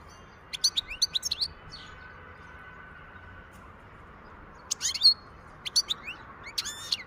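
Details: European goldfinch singing in the wild in 2023: two bursts of quick, high twittering with rising slurred notes and sharp chips, separated by a few seconds of quiet hiss.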